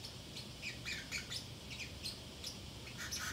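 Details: A Pacific parrotlet talks to itself while left alone at home: a string of short, sharp, high squeaky chirps, some downslurred, spaced irregularly through a quiet indoor room.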